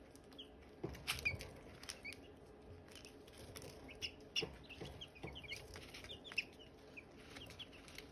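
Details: Silkie chicks and hatching eggs chirping: many short, high, slightly falling peeps come in irregular bursts throughout, with sharp knocking and clicking sounds now and then and a low background rumble.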